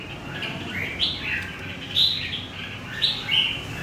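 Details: Wild-caught red-whiskered bulbul from central Vietnam gives a few liquid, upslurred whistled notes in two- or three-note groups about once a second, over quiet background noise.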